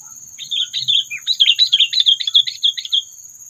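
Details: Sooty-headed bulbul calling as a trapping lure meant to provoke predators: rapid, scratchy, chattering notes tumbling over about two and a half seconds, with a steady high insect-like whine running throughout.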